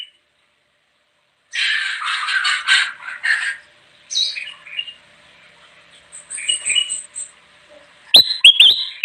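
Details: Singing kutilang emas bulbul for bird luring: a harsh, buzzy chatter opens, followed by scattered squeaky notes and a final run of bright, sharply rising whistled chirps.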